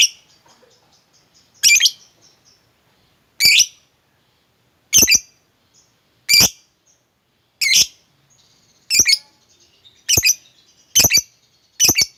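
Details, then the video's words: Lovebird squawking in harsh, shrill bursts, spaced a second or two apart and coming faster toward the end; meant to trigger a quiet lovebird into singing. "lovebirdmu loyo malas bunyi jadi gacor ngekek panjang seketika dengan pancingan ini"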